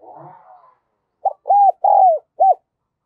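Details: Decoy spotted dove with the Đồng Son voice style, cooing to lure other doves: a short soft note followed by three low, hollow, slightly downslurred coos, the third longest, after a brief rustling noise.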